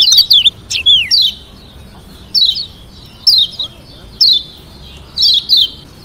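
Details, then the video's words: Yellow white-eye (kecial kuning) from Lombok, a varied singer used to provoke rival birds into answering, gives bursts of high, thin twittering phrases with quick slurred notes, repeated in short bouts about once a second over faint background noise. "Kecial Kuning ( JOSS VARIASI )‼️BIKIN LAWAN EMOSI DAN NYAUT‼️"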